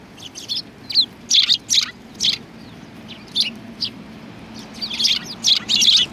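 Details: Chattering sparrows at a Japanese Tenmangu shrine, February 2020. Quick, high chirps come in irregular runs, loudest in a dense cluster near the end.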